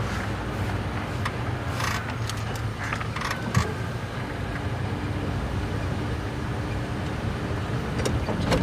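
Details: Safari vehicle engine noise continues with scattered clicks and knocks, and no animal calls can be made out.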